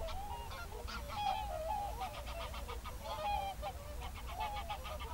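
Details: Whooper swans in a national park on an evening in February 2023, gathered with geese for their evening concert: overlapping nasal, trumpeting honks, some held as flat tones, others short and clipped. Many birds call at once over a low rumble.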